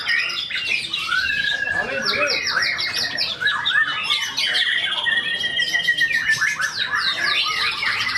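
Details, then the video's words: Tame caged white-rumped shama competing at a bird song contest, pouring out its isian mimicry: rich, fast whistled and buzzy phrases, rising and falling sweeps, with overlapping chatter of other contest birds and faint voices behind. "MB Kodrat Muntahkan Isian di Tiket Utama 16G❗ burung yang berkarakter jinak"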